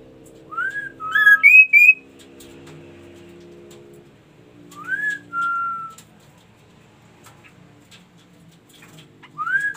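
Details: Ashy tailorbird singing: a brisk series of clear whistles stepping up in pitch, then after a pause a rising whistle followed by a long flat note. A further rising whistle comes at the end, with light low background hum.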